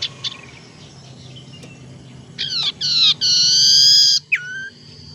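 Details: Varied tailorbird (sirtu teras) lure call, used for trapping and to stimulate caged birds that are slow to sing: a few thin opening notes, then loud harsh nasal buzzes growing longer, ending in a short downslurred note.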